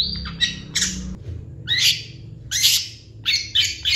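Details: Long-tailed shrike in energetic 'gacor' song with fill-in phrases: a short whistle, then harsh, raspy squawking bursts repeated roughly once a second, with a low hum in the background.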